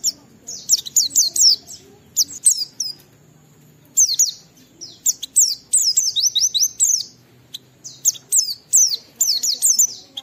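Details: Oriental white-eye singing clearly, intended to draw song from other white-eyes: a long, fast sequence of high, sharply falling whistles in tight bursts, broken by a longer pause near the start.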